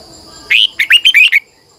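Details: Caged red-whiskered bulbul used as a lure, singing a strained morning song in a long twisting double voice. It opens with a drawn-out rising whistle, then five quick slurred notes in a lively trill, over a thin steady whine.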